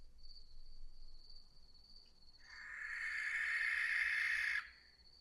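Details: Barn owl (Tyto alba) giving its harsh, shrieking screech, one rasping scream of about two seconds that rises abruptly and cuts off, over a thin, steady high whine.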